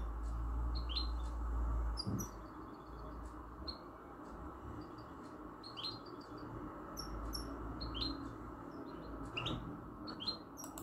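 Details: Caged European goldfinch x canary hybrid (mixto) singing: high, sharp chirps and upswept whistles mixed with short rapid trill bursts, phrases separated by brief pauses, over a steady low hum and one loud knock near the start.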